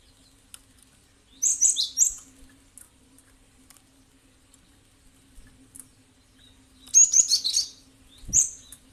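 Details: Gelatik batu, or cinereous tit, played as a lure to prompt replying calls: two clusters of rapid high chirps several seconds apart, then a lone sharp note, in a quiet setting with faint ticks.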